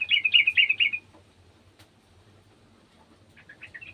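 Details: Garden yellow-vented bulbul: four loud, quick, rolling notes in about one second, then quiet, ending with a few softer chirps.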